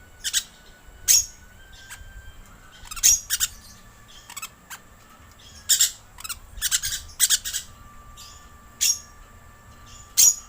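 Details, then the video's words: Green lorikeet lure call: harsh, broadband screeches in short bursts, often paired, scattered irregularly through the clip, with faint thin whistled tones between them. "Suara Pemikat Burung Perkici Hijau"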